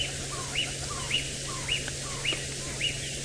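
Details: A single tiny African barred owlet, a hand-sized male, seen at sunset on a Nov 25, 2017 drive in Djuma Game Reserve, Sabi Sand, South Africa, calls repeatedly: short slurred notes, nearly two per second, with higher chirps, over engine hum.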